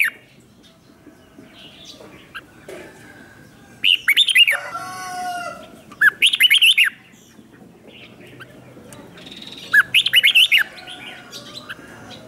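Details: Lure red-whiskered bulbul calling wild birds in: three lively warbling bursts of looping whistled notes spread over twelve seconds, with a brief rasping harmonic sound just after the first burst and quiet gaps between.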